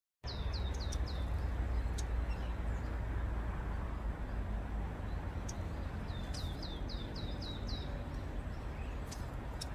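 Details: Long-tailed tit pair, apparently building a nest in spring, protest fiercely at a black cat on a high tiled roof until it flees: two quick runs of thin, high, down-slurred notes, five or six each, over low rumble.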